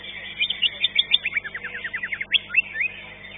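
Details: Caged green leafbird competing at a songbird contest in Indonesia, finishing fifth, delivers a fast string of sharp, high chips that turns into a tumbling series of downward-slurred notes, about a dozen in three seconds, over low background murmur.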